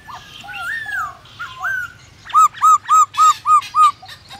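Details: Black-throated laughingthrush singing to stimulate other birds: soft varied whistles, then six loud evenly spaced arched whistled notes in quick succession.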